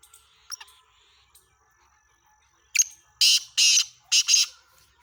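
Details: Black francolin, recorded 17 February 2023, giving loud scratchy bursts: one short note, then a run of four coarse, buzzy notes in rapid rhythm, after faint twittering from small birds.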